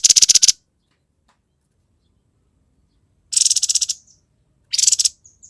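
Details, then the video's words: Grey-headed babbler in vigorous song for training other songbirds: three short, dense bursts of rapid high chattering, the later ones ending in brief thin whistled tails. "TEPUS KEPALA ABU GACOR KONSLET"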